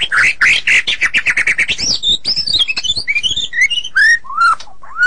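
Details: White-rumped shama song used as training material for songbirds: a rapid run of repeated chattering notes, then varied clear whistled phrases sliding up and down, loud and close.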